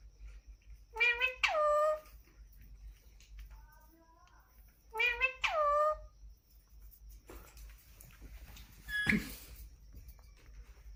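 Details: Pet Indian ringneck parakeet indoors, uttering two paired calls about four seconds apart. Each pair is a buzzy rising note followed by a falling, harmonic-rich wail. A softer wavering note sits between the pairs, and a sharp knock follows near the end.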